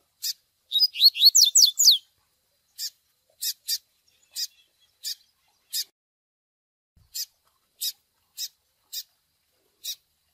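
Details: Double-collared seedeater chick begging with Tui Tui Zel Zel song for training a male: an opening burst of rapid swooping whistles, then a long series of spaced, sharp high chirps.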